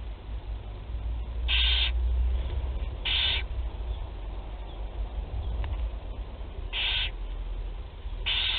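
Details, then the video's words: Barn owl chicks at Théding, first feeding, 8 July 2020, giving loud breathy hissing screeches about half a second long, four in the clip at uneven gaps, over a steady low hum. "1er nourrissage - 08/07/2020 - Les Chouettes Effraies de Théding"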